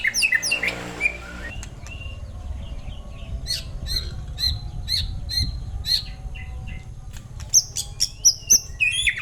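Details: White-rumped shama singing bursts of high chirps, squeaky whistles and short slurred notes, with a brief harsh squawk at the start and steady background hiss throughout.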